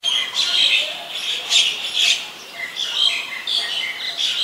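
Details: Oriental magpie-robin singing in Ubon Ratchathani, Thailand, on 17 November 2021: a varied run of loud whistled and scratchy phrases, some clear tones held steady, others sliding and buzzy, in quick bursts about every half second.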